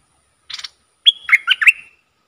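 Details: Red-whiskered bulbul as a decoy luring wild birds, 23/07/64: a soft rustling chatter, then a loud phrase of several quick, cheerful whistled notes climbing and dipping, ending with a fading whistle.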